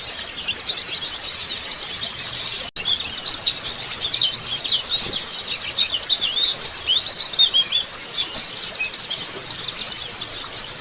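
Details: Crowded chorus of Oriental white-eyes played as a lure to prompt other birds to answer: steady, shrill overlapping twitters and quick chirps, with one brief click near the three-second mark.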